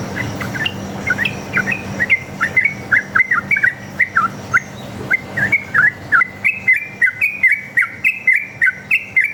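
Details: Sooty-headed bulbul from the forest giving chatty 'ropel' song to draw answers from other bulbuls: a long unbroken series of slurred whistled notes, bending down then up, steadily repeated.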